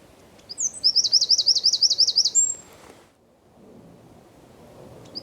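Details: Eurasian wren (Troglodytes troglodytes) in song, recorded in San Miguel de Daño, Zamudio, on 4 December 2019: a loud, high two-second burst of sharp notes, then a fast rattling trill, over soft background hum.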